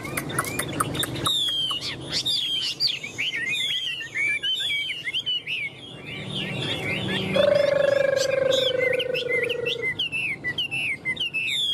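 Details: Tame caged Chinese hwamei in Vietnam, displaying with wings and tail, pours out loud, varied whistled phrases of sliding and looping notes. A low rumble opens the recording, and a steady humming tone runs through the middle.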